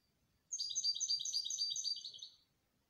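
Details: Canary singing a dense, rolling high trill of rapidly repeated notes for about two seconds, clean and loud against a quiet background.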